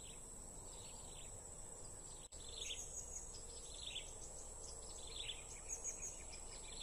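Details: Blue-crowned hanging parrot calling during bird trapping: thin, high squeaky chirps in short down-sliding bursts, scattered irregularly after a brief dropout, over a steady shrill insect drone and low background rumble.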